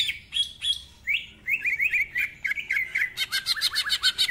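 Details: Greater green leafbird in full, continuous rapid ngentrok song, rich in mimicked phrases with a rough voice: whistled notes, then quick slurred warbles, ending in a burst of harsh, buzzy, rapidly repeated notes. No other sounds heard.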